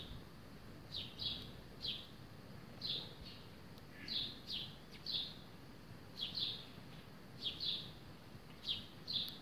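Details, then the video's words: Chirping sparrow taking a bath in a terracotta water feeder; bright, high, slurred chirps repeated in pairs and short runs about every second, clear over quiet background noise. "Sparrow Bird Chirping And Taking Bath"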